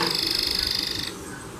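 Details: A yellow domestic canary sings a rapid, high, rattling trill of about thirty notes a second for one second, then breaks off. A faint room hum sits underneath.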